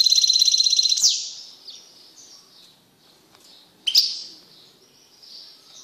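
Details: Male European goldfinch kept in a cage, singing after separation from its female canary mate: a quick, evenly pulsed high trill sliding downward at its end, soft fading notes, then one sharp bright chirp.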